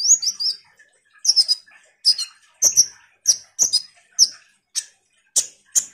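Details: Common iora singing vigorously as a lure for sunbirds: short groups of high, bright chirps, each burst falling slightly in pitch, repeated roughly every half second to second.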